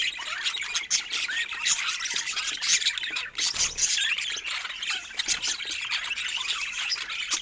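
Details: A group of pet budgerigars playing together chatters nonstop with dense high twitters, scratchy warbles and short whistles, a brief dull thump or rustle heard midway.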